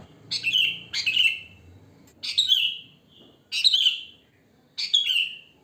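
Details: Natural wild song of a sooty-headed bulbul, without imitated fill-ins, played to lure bulbuls: five separate phrases, each a bright note sliding downward into a trailing slur, spaced roughly every second.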